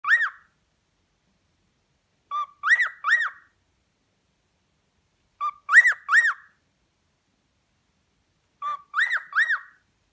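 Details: A pet male cockatiel whistles to his brother, a short phrase of three arched, clear notes repeated every few seconds.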